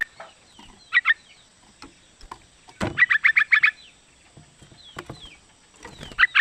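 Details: Female sooty-headed bulbul calling the male, sharp bursts of rapid repeated notes in short runs, separated by quieter stretches with clicks, knocks and faint background chirps.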